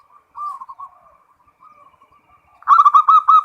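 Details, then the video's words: Zebra dove, locally perkutut, giving full ngerot song meant to bring on breeding mood: gentle quiet coos at first, then a loud run of quick, evenly repeated ringing notes at the end. "SUARA PERKUTUT FULL NGEROT BIKIN NAIK BIRAHI NAIK"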